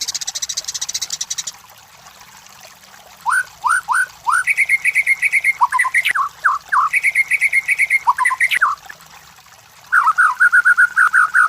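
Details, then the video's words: White-rumped shama lure song for competition birds: a brief harsh buzzy burst, then upslurred whistles in sets of three or four alternating with a held, rapidly trilled note, ending in a fast rolling trill. "MASTERAN SUARA MURAI BATU // PANCINGAN SUARA BURUNG JUARA"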